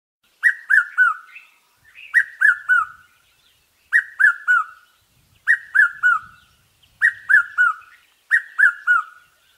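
A Red-chested Cuckoo gives its loud three-note whistled phrase, each note stepping lower, repeated six times about every one and a half seconds.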